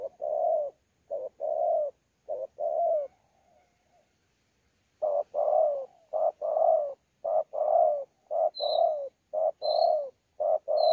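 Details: Wild-caught spotted dove in thổ pha voice, challenge cooing with bowing coos, Sa Thầy, 26 November 2019. Paired low coos repeat steadily, break off briefly after a trailing note, then resume. A thin high whistle from another bird sounds near the end.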